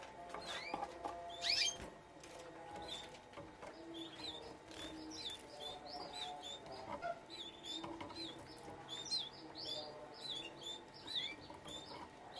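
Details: Captive-bred canaries giving varied, scattered chirps and short whistled notes, some rising, others dropping, spread unevenly through the recording over a faint steady hum.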